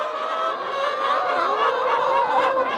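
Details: Many laying hens inside a large poultry house give a dense, steady chorus of overlapping clucks, squawks and wavering cackles in one loud, continuous din; the birds get very loud when a person speaks.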